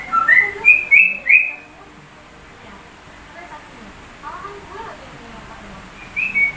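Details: Sooty-headed bulbul doing a white-rumped shama imitation: four quick rising whistles at the start, then near silence with faint notes, and a short whistle at the end.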